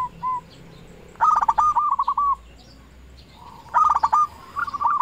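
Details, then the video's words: A local zebra dove used as a lure calls its rivals. Two mellow cooing phrases are heard, each beginning with quick clipped notes and drawing out into a smooth trill, with fainter coos in between. "Perkutut lokal gacor RAJA PIKAT memanggil lawan sekali dengar bikin semua perkutut nyaut"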